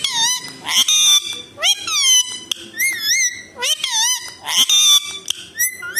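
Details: Alexandrine parakeet, the desi tota or mitthu, talking in Hindi: a run of sharp, nasal, voice-like syllables with sweeping rising and falling tones, loud squawky bursts in between, and several short pauses.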